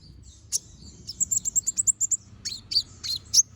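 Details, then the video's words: Brown-throated sunbird singing, recorded as a master for training other birds: a single sharp note, then a rapid evenly spaced series of about eight high chips, followed by a few louder clipped notes. "Pancingan Suara Burung Konin Gacor Ngobra Tembakan Tajam"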